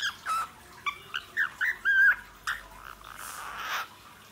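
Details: Lutino cockatiel whistling the Indian patriotic tune "Sare Jahan Se Acha" in short, clear, fluting notes with brief pauses between phrases.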